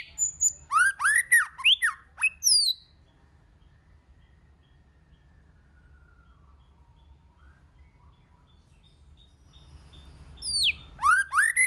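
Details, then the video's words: White-rumped shama singing in many voices. An opening run of rapid, rising whistled notes is followed by a long near-silent pause with faint hum. The passage ends with a fresh flurry of swooping whistles. "Kích Chòe LửA HóT,chòe lửa hót nhiều giọng"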